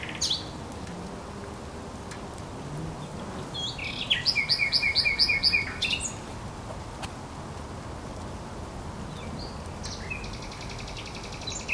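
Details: Song of a thrush nightingale at the Żerań Canal, 24 April 2022, with one loud, rapid phrase of sharply repeated high notes midway, framed by quieter single notes and a steady low background hum.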